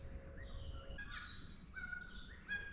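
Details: A Noisy Friarbird high up in wet sclerophyll forest in Australia gives harsh, nasal cackling notes in short raucous bursts over a low, steady background rumble.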